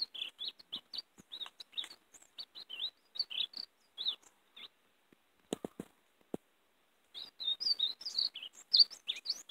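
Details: European greenfinch warbling, used as a lure for catching greenfinches: choppy twittered notes, a pause broken by a few sharp knocks, then a livelier burst of high chirps.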